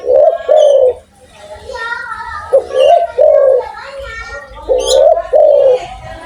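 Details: Spotted dove from Indonesia, noted for calling eagerly with a big voice, giving soft rising-falling coos at the start and end, while a child's voice talks over the middle.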